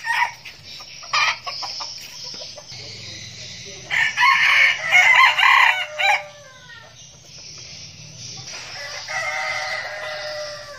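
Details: Red junglefowl roosters used as decoy birds for luring, in a compilation of crowing voices, crow in short, harsh bursts, one loud clipped crow dominating the middle, with fainter crows and clucks before and after.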